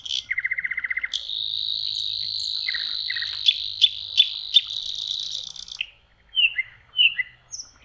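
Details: Spring nightingale by lakeside water in May: a fast rattling series of about fifteen low notes, then a long buzzing high trill punctuated by sharp clicks, ending with short slurred whistles.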